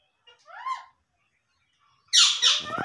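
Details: Talking ringneck parakeet produces soft, rising speech-like notes, falls quiet, then bursts into loud, harsh, raspy squawks that continue to the end.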